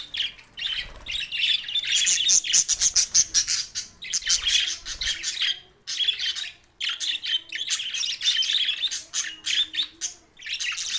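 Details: Budgerigars recorded June 7, 2024, Larkana, Sindh: dense, continuous high chirping and warbling chatter with squawky notes, rising and falling in bursts, with brief pauses near six and eleven seconds.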